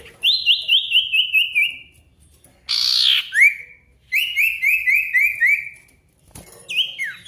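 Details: A sirtu in full song, used as a lure to get silent birds singing and to challenge a rival. It gives a run of six or seven high, slurred whistles that drop slightly in pitch, then a harsh buzzy burst and another whistled run.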